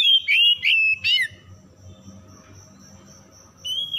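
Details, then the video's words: Oriental magpie-robin lure song for stressed, silent birds: three quick loud whistled and scratchy notes at the start, then near quiet with a low hum and a faint high tone, and a single whistle returning at the end. "PANCINGAN PEMIKAT KACER SETRES MACET BUNYI LANGSUNG GACOR"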